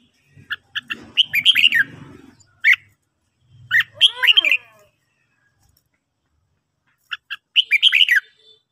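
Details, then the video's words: Red-whiskered bulbul in training singing in the morning: repeated short chips leading into quick warbled phrases, with a faint low murmuring underneath and a quiet stretch midway. "luyện chào mào hót buổi sáng"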